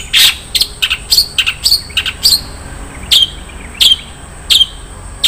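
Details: Long-tailed shrike, isian mewah fill song: loud sharp chirps, each a quick downward-bending note, in a fast run followed by more widely spaced single chirps roughly every three quarters of a second.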